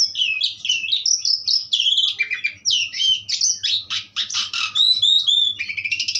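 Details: Pastol-style song of an Asian pied starling, a continuous rush of squeaky whistles, rapid chatters and slurred high notes with no break, delivered loudly and energetically throughout.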